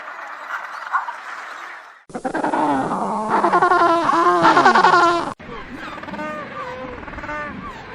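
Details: Penguins calling in several spliced segments: dense, overlapping harmonic braying calls that rise and fall, many birds at once in a loud middle section, then scattered calls over a background hiss.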